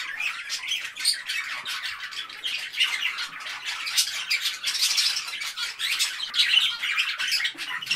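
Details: Several parakeets chatter nonstop, a continuous wash of harsh, scratchy chirps and squawks layered over one another with no clear rhythm and no other sounds.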